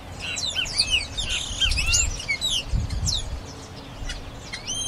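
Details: Grayish baywing, a blackbird-family songbird, singing a rapid jumble of high chirps and short curving whistles, with low rumbling noise underneath around the middle.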